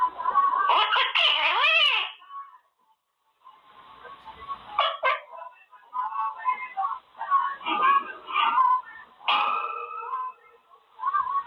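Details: Caged Quaker parrot practising words and playing: a drawn, swooping squawk with strong rising-falling bends, then mixed chatter, scratchy bursts and softer garbled phrases over faint background hum.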